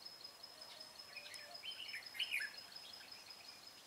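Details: Red-whiskered bulbul at a bird-trapping session on 25 April 2017: one short warbled phrase of rising and falling whistled notes in the middle, over a steady high insect-like tone and faint distant chirps.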